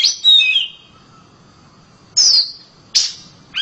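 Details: Oriental magpie-robin kept at home, singing loud: separate bright whistled phrases, each a quick falling slur, spaced by pauses of about one to two seconds, otherwise quiet.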